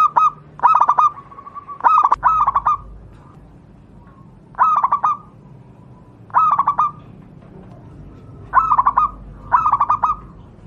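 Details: Wild local zebra dove, Javanese form, song offered for training other doves: bursts of rapid, bubbling staccato coos come every two seconds or so, with longer silent gaps between some phrases.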